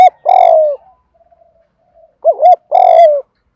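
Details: Decoy spotted dove with a loud, close, ringing voice. A falling coo ends the previous phrase, then after a pause a full phrase follows: a quick looping double coo and a long, sliding, descending coo.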